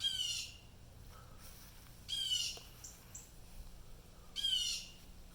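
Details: Blue jays in real life sounding alarm at something that upset them: three harsh, nasal screams spaced roughly two seconds apart against soft background hiss.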